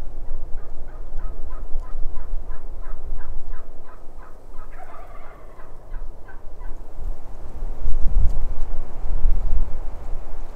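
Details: Wild turkey tom gobbling from the opposite ridge on public land in Nebraska during a spring bowhunt, with hens nearby: a rapid rattling burst of notes over a steady low rumble, with clothing rustle and handling noise later.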